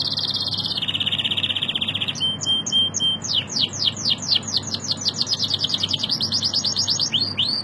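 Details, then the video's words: Strong canary song opening with a level rapid trill, then shifting into a lively run of sweeping, slurred high notes repeated quickly and evenly, ending with brisk chirps; a constant low hum lies underneath. "تغريد جميل و قوي لطائر الكناري canari"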